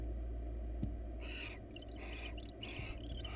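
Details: Wild female barn owl looking for attention in a nest box: after a quiet start, four rasping, hissy calls follow closely, with faint knocks and a low continuous hum.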